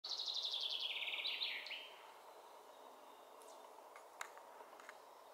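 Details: Common chaffinch singing one phrase: a fast series of high repeated notes dropping in steps, ending in a short flourish after under two seconds, then quiet background with a few faint ticks.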